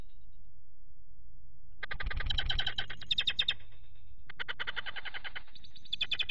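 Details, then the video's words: Peregrine falcon calls during repeated attacks by an intruding third falcon on the male at the nest grate, 4 April 2008, with the female brooding in the box. Rapid, harsh, chattering bursts come in several runs over a low rumbling background. "slechtvalk aanval 3e slechtvalk"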